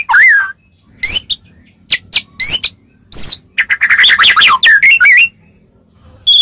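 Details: Singing white-rumped shama, aimed at making other shamas reply: looping whistled slurs and sharp chips, then a rapid dense jumble of varied notes, ending with a clear high whistle.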